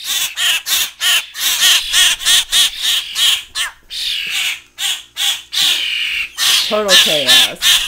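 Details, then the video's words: Young grackles and starlings, now big but still begging to be hand fed inside a cage, give harsh, rasping fledgling begging calls about three times a second, high and insistent, with a person's voice near the end; common grackle. "Fledgling Grackle and Starling Feeding Frenzy"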